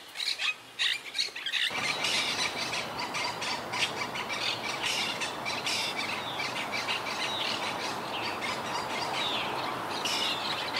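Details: Quaker (monk) parakeets living wild in a tree colony that lost half its birds to hurricane Irma: a few separate squawks, then a dense, noisy din of many birds calling at once.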